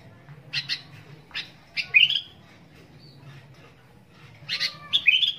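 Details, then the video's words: Sooty-headed bulbul (kutilang) in chatty song: scattered sharp chip notes build into a squeaky rising phrase, then after a pause another dense burst of bright chirps and slurred whistles. "kicau kutilang gacor isian"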